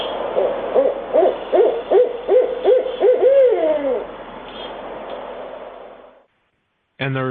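Barred Owl giving a rhythmic series of about eight low hoots over three seconds, closing with a drawn-out, wavering, falling hoo-aww. A brief burst of another sound follows after a pause.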